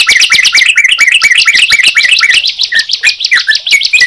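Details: Two songbirds, bar-winged prinia and yellow-vented bulbul, singing at once: sharp rising-and-falling chirps stacked over each other, fast and uneven, with lower slurred whistles toward the end.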